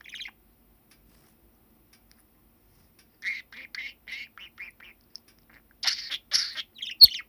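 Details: Pet male budgerigar, seven years old, indoors on 21 December 2019, a little nervous in front of the camera while talking: after a quiet pause, short bursts of warbled, speech-like chirps, then louder scratchy chattering syllables toward the end.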